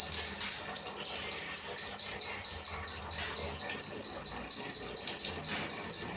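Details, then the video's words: Kinoi song used as 'rambatan' training material for tutoring cage birds: a fast run of sharp, high, slightly descending chirps repeated about four times a second, steady throughout, with faint low background hum. "burung kinoi materi rambatan"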